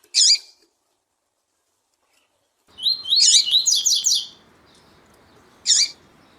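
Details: A double-collared seedeater female's call and a singing male, meant to stir up caged males: sharp, high chirps open and close the clip, with a quick run of bright, rapidly repeated notes in between.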